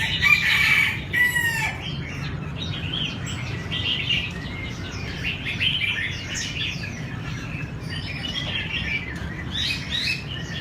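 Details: Bulbul of the red-whiskered kind being trained for a song contest: a loud opening flourish of clear whistled notes, then dense, overlapping chirped phrases continuing throughout against low ambient rumble.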